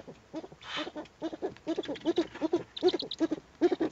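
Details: Eurasian eagle-owl with owlets at a nest under webcam watch, April 2020: a rapid, uneven series of short, husky notes, several per second, with a brief hissing burst near the start.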